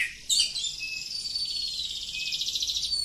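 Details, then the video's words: Kacer kampung oriental magpie-robin singing ngacor style. After a sharp opening note comes one sustained, high buzzy trill with fast rippling pulses that lasts almost three seconds. "Kacer Kampung. Super Ngacor panjang"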